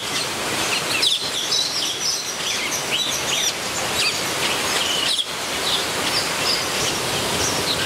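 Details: Metallic starlings nesting in the Scripps Aviary at San Diego Zoo chatter constantly, with many high, squeaky, overlapping chirps and whistles over a steady background hiss.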